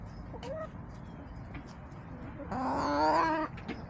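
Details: Backyard chickens in March, out sunbathing and picking at leftover salad. A faint short note is followed by a loud, drawn-out, nasal squawk lasting about a second over a low steady hum.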